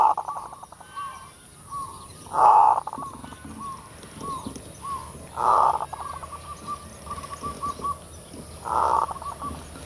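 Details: Zebra dove in full kerot style, a lure song: three loud gruff bursts spaced about three seconds apart, each set among strings of soft rhythmic coos and quick clipped notes.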